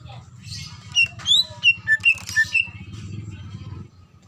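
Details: Greater green leafbird female calling a male, in breeding condition: about seven short whistled notes alternating higher and lower pitch in a rapid series, over a constant low rumbling noise.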